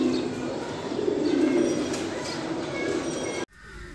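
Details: Low, purring coos from Mukhi pigeons, a fancy domestic pigeon breed, swelling in a rough rolling rhythm for over three seconds before cutting off abruptly into quieter background.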